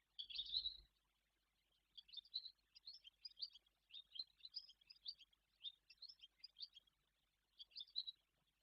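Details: Barn swallows in Guangdong, China, give bursts of high, thin twittering chirps in quick clusters with short pauses between runs, as they take off in the early morning in spring; a brief low thump at the start.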